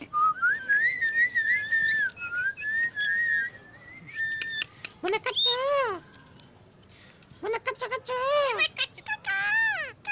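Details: Crested myna imitating human speech: a long wavering whistled phrase lasting about four seconds, then rapid bursts of rich harmonic, voice-like syllables sweeping up and down, separated by brief silences.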